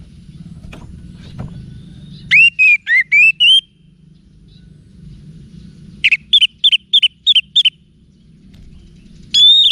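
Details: Orange-headed thrush song, used to prompt caged birds to answer. Two bursts of loud, clear whistled notes, each a rising or falling slur, given in quick runs of about five, separated by pauses. Soft low hum throughout.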